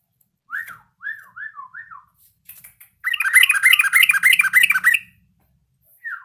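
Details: Yellow-vented bulbul learning its song: a row of short, clear, down-slurred whistled notes, then a dense burst of bubbly, buzzy chattering phrases lasting about two seconds, with a final whistled note after a pause.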